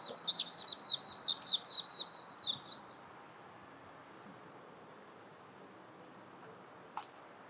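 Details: About three seconds of quick, high, chattering notes from a warbling white-eye, then silence apart from low background hiss and one faint click.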